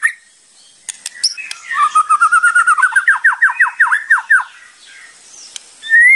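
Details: Training song of a white-rumped shama, or murai batu: after soft clicks, a fast series of descending slurred whistles accelerating and repeated, then quiet and a final rising whistle.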